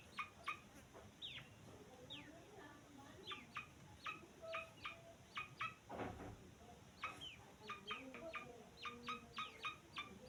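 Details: Young grey francolin uttering brief high chirps, some falling slightly, spaced in loose clusters throughout, a soft rustle midway and a quiet low hum underneath.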